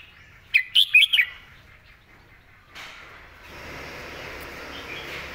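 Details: Red-whiskered bulbul singing its clear, well-articulated 'master song' style phrase: one quick burst of four or five sharp, bouncy whistled notes, followed by quiet and then a steady hiss of background noise.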